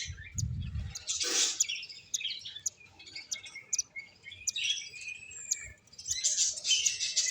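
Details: Finches playing: a short flutter and loud burst open the clip, followed by scattered high chirps and twittering that builds again near the end.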